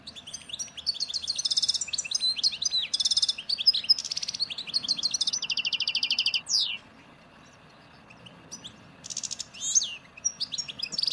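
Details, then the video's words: European goldfinch, Souk Ahras, Algeria, 'nature' song matching Djoudi farm and Ain Dalia dam birds of 1995: bright rapid twittering with ringing buzzy trills, a brief lull near the middle, then more sharp notes over a steady low background hiss. "Nature chardonneret- Barrage Ain Dalia1995- Djnane- Bouecha- firmet Djoudi - SOUK-AHRAS (TAGHAST)"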